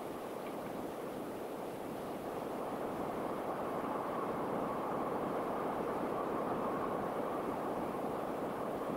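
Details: Steady broadband rushing like wind or surf, with no animal calls heard.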